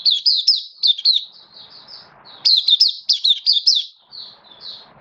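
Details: Hobby-kept oriental white-eye in a cage, singing on 11 September 2022: two bursts of rapid, high, twittering notes with quick up-and-down inflections, each trailing into softer chirps, separated by a brief pause.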